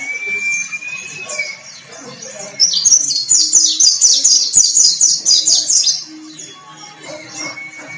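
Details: Caged white-breasted white-eye prepared for song competition, delivering a fast burst of sharp, high chattering notes for about three seconds after a quieter stretch opening with a level, slightly rising whistle.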